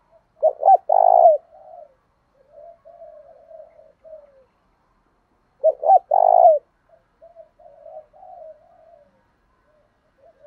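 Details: Spotted dove coo in the Thổ đồng style, meant to spur wild doves to fight. A loud phrase of two short notes and a long buzzy coo is repeated twice, about five seconds apart, with soft, low wavering coos between.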